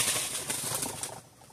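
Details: A dove roosting in a mango tree in the countryside around 5:30 a.m. is startled into flight with a quick, papery clatter of wingbeats that fades after about a second, leaving soft rustling.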